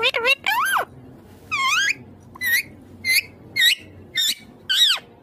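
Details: Green Indian ringneck parakeet speaking clearly in evenly spaced, rising-and-falling harmonic syllables, about eight distinct word-like sounds in quick succession.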